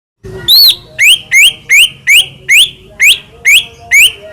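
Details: White-rumped shama (murai batu) song used as a lure to make birds sing and agitated: a loud opening phrase, then a series of rising whistled upslurs repeated about every half second.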